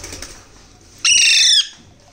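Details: A hand-fed baby Alexandrine parakeet gives one drawn-out, nasal, steady squawk of about half a second after a quiet start.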